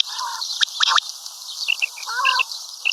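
Common quail giving short, raspy, clipped notes in quick scattered bursts, some higher and chirpy, with a steady faint hiss behind.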